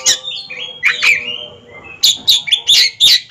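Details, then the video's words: Oriental magpie-robin, a caged ringed bird in a song duel, gives sweeping whistled notes and a drawn-out fading whistle, then six quick loud sharp chips in a row. "DUEL MAHAKARYA || KACER RING"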